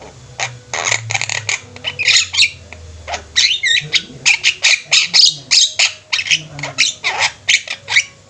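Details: A flock of Javan mynas chattering together, a dense run of harsh, scratchy squawks and rasping notes overlapping one another, steady through the stretch; low rumbling background noise early on.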